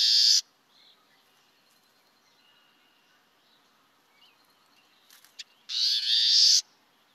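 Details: Warbling Vireo, a woodland-edge species that nests in DuPage County, recorded at a Springbrook Prairie woodlot, gives its characteristic call notes: two harsh, raspy, nasal notes, each under a second, about five seconds apart, with faint thin whistles between.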